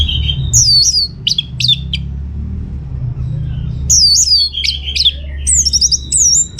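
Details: Orange-headed thrush in energetic song played to prompt other birds to sing back: bursts of high sharp whistles and quick downslurred chips, a pause, then another rapid volley of piercing notes, over a faint low rumble.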